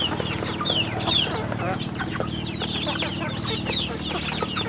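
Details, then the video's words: Chicks at a rural chicken farm keep up busy high-pitched cheeping, short sliding notes packed closely together above a low background drone. "Good chicks sounds in the farm"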